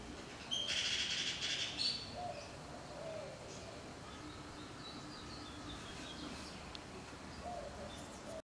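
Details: Bullock's oriole in a garden gives one harsh, buzzy chatter about a second long, threaded with a thin rising whistle, then quiet background with faint distant chirps.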